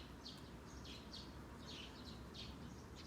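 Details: Eurasian tree sparrows calling during a blueberry harvest: short, bright chirps repeated several times a second in quick bursts, with a steady low rumble and rustling beneath.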